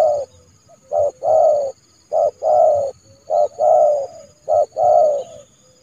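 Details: Trained spotted dove decoy calling in January to attract a rival into the yard to be trapped; three evenly spaced phrases, each a short note followed by a longer, hoarse, level-to-falling coo.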